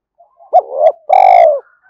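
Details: Spotted dove used as a caller for wild doves: soft lead-in notes, then a rising note swelling into a coo, a pause, and a long, rich, steady coo that slopes down at the end.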